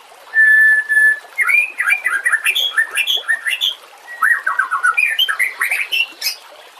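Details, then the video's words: White-rumped shama (murai batu) song for training other caged songbirds: one long steady whistle, then a lively stream of short warbled notes climbing and dropping in pitch. "Suara kicau burung murai batu"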